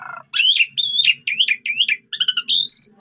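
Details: Asian pied starling, full-fill training song to provoke other starlings: a rough burst, then a string of wavering whistled phrases that rise and fall, ending in a long rising buzzy whistle.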